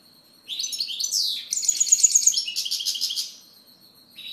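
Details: A European goldfinch sings a continuous, liquid twittering phrase of quick high notes, sliding chirps and a fast stuttering trill, ending on a thin sustained tone.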